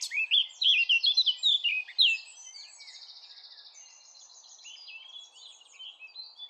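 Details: Loud rich warbling from a Eurasian blackcap for about two seconds, then a buzzy pulsed trill and softer scattered chattering notes.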